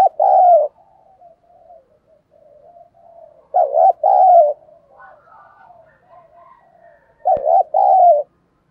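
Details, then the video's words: Spotted dove giving fighting-provocation coos in the giọng thổ voice style: three strong, low, wobbling coo phrases about three and a half seconds apart, with gentle continuous cooing between them and one sharp click. "cu gay kich boi nhanh noi gù. cu gáy thúc đấu"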